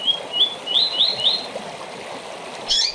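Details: Rusty-collared seedeater short song for training birds for singing tournaments: a quick run of about six bright, slurred high whistled notes, a pause, then one sharp chirpy burst at the end over a soft steady hiss.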